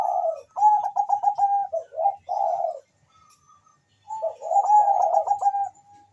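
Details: Persistent Bangkok-type zebra dove song for stimulating mating urge and singing: loud rapid bursts of staccato cooing in two phrases separated by a brief quiet pause with a faint high tone.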